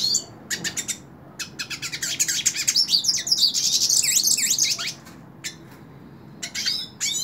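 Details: Hooded siskin singing while held in the hand: a high, rapid twittering of chirps and buzzy trills, a dense warbling run in the middle, then scattered sharp notes after a short pause. The background is quiet.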